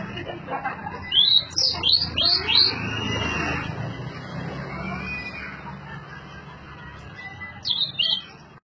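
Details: Blue-and-white flycatcher singing a short series of four clear, high slurred whistles, then a long gap of low background rumble before a brief closing phrase of two or three notes.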